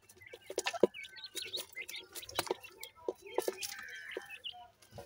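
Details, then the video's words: New pair of dakhni teetar francolin chicks: thin, high peeps and squeaky chirps in scattered clusters over a low hum, with a few dull knocks and lower clucking notes. "beautifull new jora dakhni teetar chicks,sindhi teetar ki voice"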